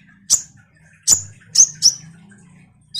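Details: Common iora singing in lively form, used as a lure to draw responses from kolibri ninja birds: four sharp, very high chirps with quick downward tails, spaced irregularly over a quiet low hum.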